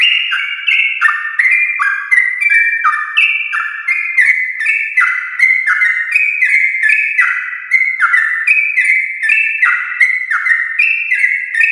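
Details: Sooty-headed bulbul in morning ropel song, a long continuous singing style used to excite other bulbuls; dense, unbroken series of clear whistled notes in stepwise pitch changes, many overlapping, with clicky attacks throughout.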